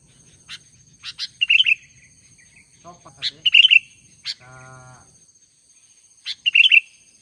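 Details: Albino Sooty-headed Bulbul singing actively: short sharp chirps followed by bubbly warbled phrases, repeated in bursts every couple of seconds, with a brief low voice-like murmur and a droning tone midway.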